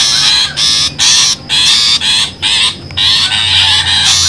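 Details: Long-tailed shrike lure sound for trapping: nearly continuous grating, noisy squawks, about eight in quick sequence with only very short breaks between them.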